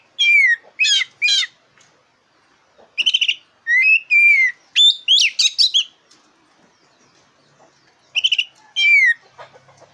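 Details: Oriental magpie-robin, black-breasted kacer, sings energetically for use in stirring contest birds: groups of two or three buzzy downslurred whistles alternate with quick chips and twitters, with pauses of a second or more.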